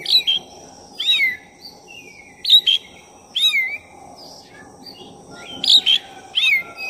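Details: Oriental magpie-robin of the black-chested form singing nonstop as a trigger to rouse another magpie-robin's emotions: bright whistled phrases, each a sharp note dropping into a slurred descending whistle, repeated roughly every second, with faint hiss behind.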